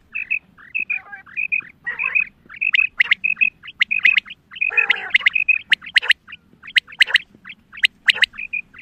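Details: Female quail (Pakistani batair) giving a special hunting call: quick, bright, high notes repeated several times a second, broken by harsher squawky bursts; no other clear sounds.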